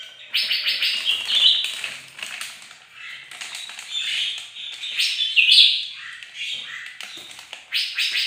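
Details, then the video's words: On a bright morning a bird-of-paradise sings in full voice, a dense stream of chattering, buzzy notes and clear whistles in bursts with short pauses between them. "bagus si burung surga lagi gacor"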